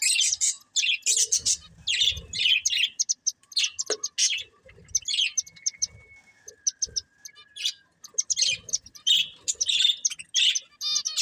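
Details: Breeding pair of budgerigars warbling: dense, scratchy high chirps and chatter in uneven bursts, with a thin, steady whistle partway through and a busy chattering finish.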